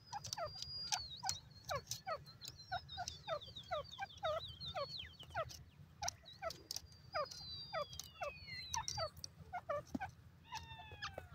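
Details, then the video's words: Lotha, Irani and Dakhani teetar francolins in a busy chorus of quick, sharply falling chirps repeated many times, with long high whistled glides drifting down and a constant low rumbling hum underneath. "lotha teetar awaz,irani teter awaz,dakhani teetar voice"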